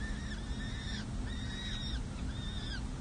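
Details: Four young peregrine falcon chicks at a San Jose city hall nest during feeding, May 7 2024: three loud, drawn-out whining calls, each slightly rising then falling, in quick succession over a heavy low hum.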